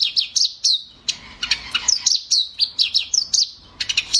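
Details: Eurasian tree sparrow chirping: clipped, bright downward-sliding notes in loose irregular bursts, some doubled, with short pauses between groups and a quiet background.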